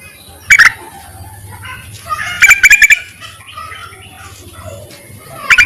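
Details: Calling Yellow-vented bulbul, used as a lure for males: brief chattering bursts of quick, slightly harsh notes, one early, a longer run of four or five in the middle and another at the end.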